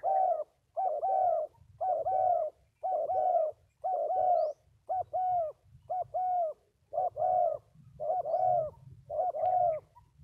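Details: Two spotted doves called 'bổi thổ' give steady, mellow cooing, one double-noted coo phrase about every second in an even rhythm, against a soft low background hum.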